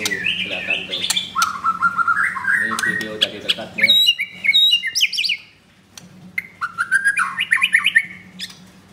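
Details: Caged white-rumped shama wearing a blue leg ring, at a bird shop in Kemayoran, Jakarta, Indonesia, recorded close up: rich whistled phrases stepping up and down, sharp high ticks and rapid metallic trills, a short pause, then more varied whistles over a low indoor hum.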